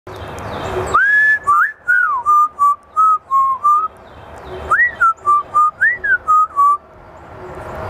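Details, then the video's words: Talking African grey parrot whistling a tune: two phrases of clear tonal notes, each opening with a rising slide and then a run of short level and wavering whistles. "الببغاء الزنجباري ملك العائلة المتكلمه African gray parrot"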